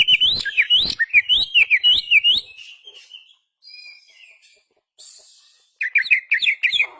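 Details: Kacer (oriental magpie-robin) singing with tail open: fast zigzag whistled phrases, a quiet gap, then a run of sharp repeated chirps.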